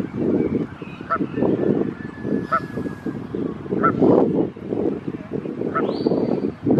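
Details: A mother Canada goose, with her goslings, gives low, harsh, clipped honks in a quick uneven run and a thin high whistle near the end, signalling to them as a dog on a lead approaches.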